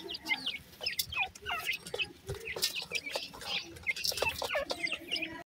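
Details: A crowd of grey francolin chicks produces loud, rapid, high chirps, each note sharply falling or hooked, repeated several times a second without pause.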